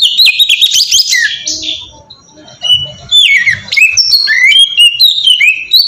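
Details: Ngeplong-style kacer (oriental magpie-robin) song used as a singing lure: a burst of varied trills and a falling whistle, a quiet gap, then lively slurred whistled phrases.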